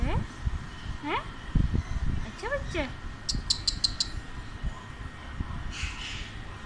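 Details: Pet male Alexandrine parakeet watching himself on a laptop, excited and curious: quick upward-sliding whistles, a rapid series of clicky high notes, then softer speech-like chatter against a low indoor hum.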